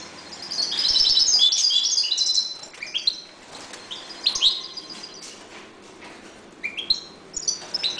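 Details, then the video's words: European goldfinches in a breeding cage sing a loud burst of high, tinkling twitters in the first two seconds, followed by shorter chattering phrases and scattered chirps. "jilgueros criando"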